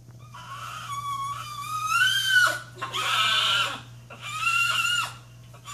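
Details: Pet macaw indoors, excited while its owners watch television, giving three loud, harsh, drawn-out squawks, each one to two seconds long, over a steady low hum.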